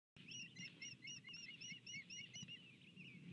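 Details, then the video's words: Osprey pair arriving at their nest together, filmed on a nest camera on 12 February 2020 at 07:50. A rapid series of about a dozen sharp, whistled chirps, roughly four per second, runs over a low background rumble. "Flying to the nest together"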